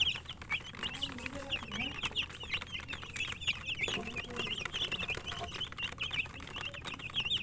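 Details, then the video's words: Several chicken chicks peeping as they eat, a constant chorus of shrill, quick chirps, often curling up then down, packed closely together, plus soft lower murmurs and pecking clicks in the background. "Murgi chicks Chirping sounds and eating"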